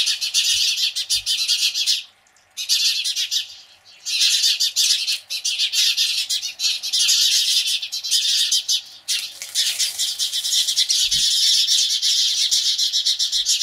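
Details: A flock of house sparrows reacting to a Cooper's hawk keeps up a dense, harsh, loud chatter of overlapping alarm chirps, pausing briefly twice before resuming.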